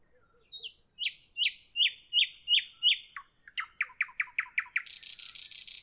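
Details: Evening nightingale song: a run of about eight loud, identical downslurred whistles, then a faster series of sharp clicking notes, ending in a dry buzzing rattle.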